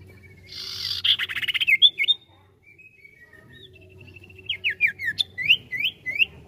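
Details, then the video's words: Sirtu bird in full ngetril ngetrol song: a rough buzzing burst with rapid ticks, bright looping whistles, quiet thin notes and a short trill, then about eight sharp upswept chirps in quick succession, low hum beneath. "SIRTU GACOR NGETRIL NGETROL"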